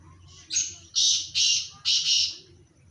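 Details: Pair of black francolins (black teetar, Irani teetar): four loud, harsh, grating bursts in quick succession, the middle two longest, over a faint low hum.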